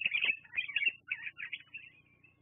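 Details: At the Fraser Point nest, a bald eagle gives a loud run of shrill, jerky piping notes on 24 September 2022. The notes tumble quickly, then trail off into softer squeaks. Caught by a live nature cam.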